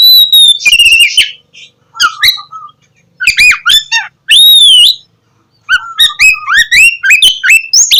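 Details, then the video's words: Energetic gacor song of an Oriental magpie-robin, used as a morning lure for lazy birds: sweet, ringing whistles and sharp chirps in rapid, irregular phrases, with short pauses and one long pure whistled note midway. "KACER GACOR cocok buat pancingan kacer malas bunyi dipagi hari"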